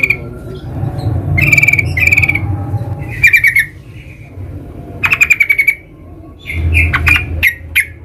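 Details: Sooty-headed bulbul in the wild giving several short, loud chattering bursts and sharp chirps at irregular intervals, with low rumbling noise between them.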